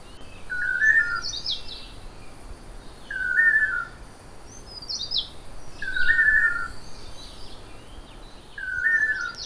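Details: Two male long-tailed manakins at a lek in Costa Rican forest sing the Toledo duet to attract females, a mellow whistled to-le-do about every two and a half seconds in close unison that carries far, over soft background hiss.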